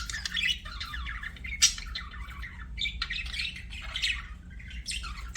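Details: Budgie chirping: short bursts of raspy, squeaky warbling separated by brief pauses, over soft background hum.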